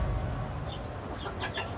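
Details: A young home-raised red hen, about six months old, that has just laid her first egg, gives low, throaty broody-like clucks in a short run over a steady low rumble; owner suspects other hens disturbing her cause the sound.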